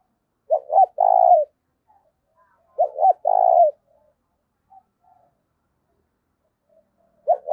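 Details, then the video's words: Spotted dove decoy bird, kept to lure wild doves, calling in the 'giọng thổ' style: two phrases of quick short notes leading into a longer, throaty coo, about two seconds apart, with a third starting at the end. Otherwise quiet. "cu gáy giọng thổ thúc cực đỉnh dùng kích bổi hiệu quả"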